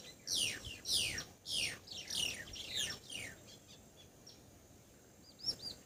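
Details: Grey wagtail calling near water behind a house in Assam, India, where it spends the winter: a run of seven quick, shrill, down-slurred notes, then a pause and a few fainter high chirps.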